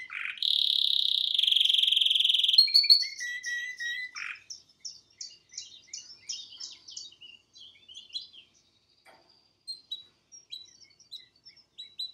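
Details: Caged canary singing at home: a loud sustained rolling trill for two seconds, then a few lower whistled notes, trailing into scattered soft chirps and brief twitters with gaps of quiet.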